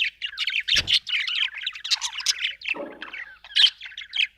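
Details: Budgerigar chirping in a fast, continuous stream of scratchy warbles, clicks and short squawks, with dense overlapping notes throughout and a brief low thump near the first second.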